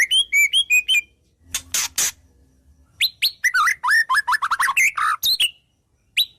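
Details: White-rumped shama singing a full song filled with wild-bird phrases: quick bright whistled notes near the top, then a long run of varied, rapidly alternating whistles that sweep up and down, with two brief rasping bursts between them.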